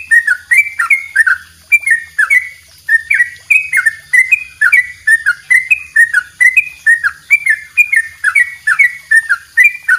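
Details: Yellow-vented bulbul singing a long 'double rapid' song style, kept as a master for training songbirds: a fast, steady run of short whistled notes, each dipping and then rising, repeated about twice a second.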